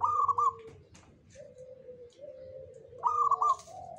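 A zebra dove sings soft, mellow coos broken by quick stuttering trills, the phrase starting again about three seconds later over a faint low hum.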